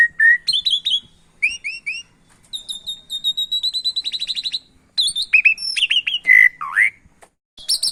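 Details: Javan pied starling song mixed with canary song as a training recording: clipped chirps and short buzzy trills give way to a rapid high rattle, then swooping whistles and a falling slur.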